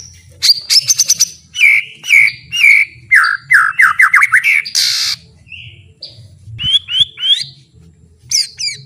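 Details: White-rumped shama full song used as master training: rapid clicks, repeated downslurred whistles, a harsh burst, then rising whistled notes.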